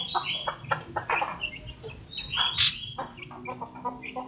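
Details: Caged common iora, raised by hand from a nestling, in full 'gacor crewet' singing: harsh rapid chatter mixed with clear, high whistled notes, loud and shrill, delivered in quick irregular phrases.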